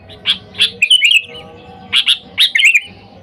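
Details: A gacor sooty-headed bulbul calling wild friends, used for luring: two crisp chirps, a gurgling warbled phrase, then further chirps and another bubbly phrase over faint low hum.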